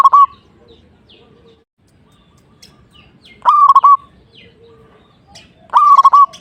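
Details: Perkutut or zebra dove cooing vigorously, sung to rile a rival bird: three short cooing phrases of quick pulsed hoots, each ending in a held note, spaced about two to three seconds apart, with quiet background between them.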